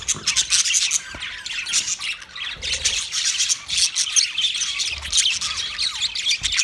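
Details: Thirty pairs of budgerigars kept as a colony produce continuous busy chirping: many birds at once, scratchy squawks and warbled twitters layered in pulsing bursts, with occasional low thumps beneath.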